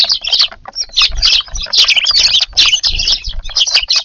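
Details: Evening garden feeding of sparrows, noisy and busy: many birds chirp at once in bright clustered bursts, brief gaps around half a second and two and a half seconds, with light wing flutters and low knocks.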